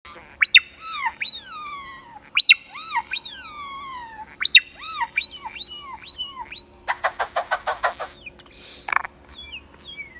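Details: A bird making varied, unusual noises: sweeping whistled notes that rise then fall, repeated in sets, followed by a fast series of clicking pulses and a squawk.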